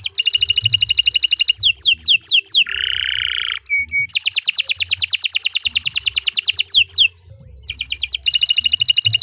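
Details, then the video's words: Long 'gacor panjang' canary song used as masteran: rapid buzzy trills, a few falling whistles, a lower harsh buzz and a short level note, then another long rolling trill and more trilling after a brief gap. "Suara Burung Kenari II GACOR PANJANG Cocok untuk Masteran"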